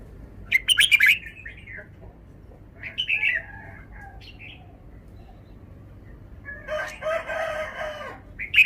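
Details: Red-whiskered bulbul showing off its song phrases. Short, bright warbled bursts come near the start and around three seconds, followed later by a harsher, broad chattering burst, over a steady background hiss.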